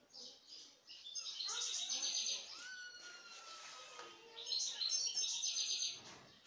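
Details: Wild European goldfinch singing: rapid twittering, tinkling phrases with buzzy trills high in pitch, one long sliding whistle in the middle, fairly continuous chatter throughout.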